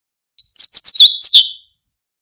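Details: Siberian bunting song: a single high, quick phrase of about a second and a half, with rapid trilled notes and jittery slurs, ending in a thin, drawn-out descending whistle; clean recording with no background.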